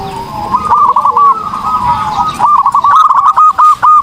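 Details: Zebra dove in full song for tutoring other birds: a soft run of cooing notes followed by a clear, rhythmic string of clipped, even coos near the end.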